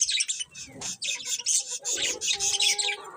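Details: Colourful pet budgies giving loud rapid chirps and squeaky warbles, tightly packed, with one short rising whistle near the start.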